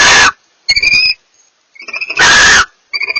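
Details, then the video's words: A pair of barn owls communicate, trading a long hissing screech with shorter wheezy, chittering calls; the harsh screeches repeat about two seconds apart. "A pair of barn owls communicate"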